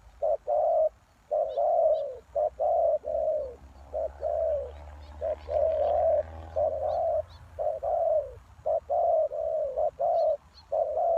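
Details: Spotted dove call used to lure wild doves: a dense run of paired low coos, short then longer, continuing for eleven seconds with few breaks. Faint high chirps appear at times.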